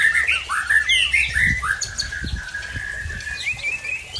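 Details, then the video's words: Repertoire of a white-rumped shama from Tangse in Aceh: a run of varied rich whistled notes, rising and falling slurs, then a softer sustained warble, with low rumbling background. "Murai Aceh Asal Tangse Bongkar Isian"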